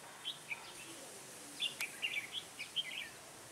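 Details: Red-whiskered bulbul, a decoy bird singing during trapping on a cold, windy day, 16 December 2017: short bright whistled notes in quick clusters, rising and falling, with faint rustling in the background.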